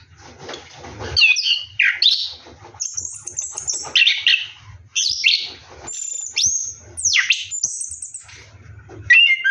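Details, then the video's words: Orange-headed thrush singing while bathing at night, a varied rolling song mixing harsh chattering bursts, steep downward-swooping whistles and thin very high notes, phrases separated by brief pauses. "KICAU ANIS KEMBANG NGEROLL MANDI MALAM"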